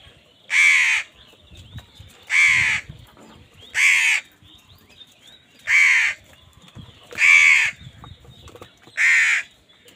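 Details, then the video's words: Crow fighting wild birds for food caws six times in a steady series, one rough, harsh note roughly every one and a half to two seconds, over low rustling. "Crows fight with wild birds for food | Crow bird unity anger and sound"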